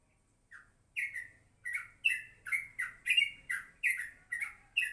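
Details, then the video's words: Yellow-vented bulbul singing in the morning: after a single soft opening note, a run of about ten short, bright, slurred chirps comes roughly every half second, each note dropping slightly in pitch, against a quiet background. "kicauan crucuk pagi hari"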